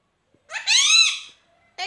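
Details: Pet parrot kept indoors, saying its owner's name: one drawn-out, voice-like utterance lasting under a second, with a steady tone holding a bright, rich timbre, then a brief second sound cut off at the end.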